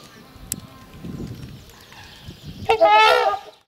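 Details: Trumpeter swan pair calling in their spring courtship ritual, the loud trumpeting also marking territory; mostly quiet at first, then one drawn-out, slightly wavering nasal trumpet blast near the end.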